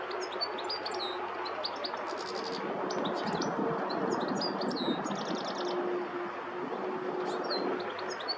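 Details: A European goldfinch (Carduelis carduelis) sings quick, tinkling high twitters and liquid trills in rapid bursts, over a steady broadband hiss from a nearby gravel pit where work was going on.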